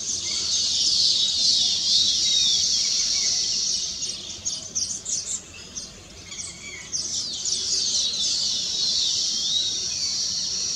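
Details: A colony of weaver birds sings on newly completed nests, reportedly celebrating; loud, high buzzy chatter with rapid rhythmic bursts of descending notes, briefly thinning in the middle before swelling again.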